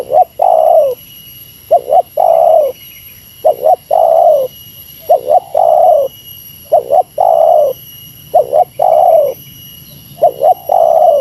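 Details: Spotted dove calling against a rival in the meratus lure style. About six phrases come in steady succession, each two short hooting notes and a long descending coo, roughly every two seconds. A faint background whine is present.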